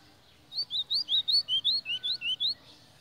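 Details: White-throated seedeater in full song, a fast run of about eleven clear upslurred whistles, each note rising, delivered evenly over two seconds with short gaps, against near silence.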